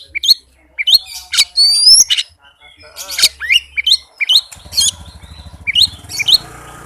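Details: Oriental magpie-robin singing fast and dense as a lure for magpie-robins that will not sing: high chirps, two long clear rising whistles, then scattered sharp notes over a faint low hum.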